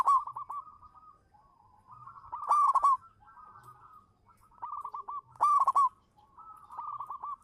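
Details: Local zebra dove singing as a lure bird: a soft cooing phrase of rapid stuttering notes near one pitch, ending in a loud burst with bright harsh overtones, repeated about every three seconds.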